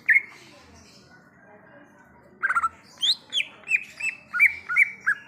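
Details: Greater green leafbird in the wild, after a quiet stretch, giving rapid slurred chirps and then a steady string of short whistled notes roughly twice a second, with a faint background hum.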